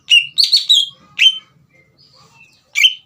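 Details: Green leafbird song to stir a young speckled bird: a few rich, warbled whistled phrases, a quiet gap with faint notes, then one more loud whistle.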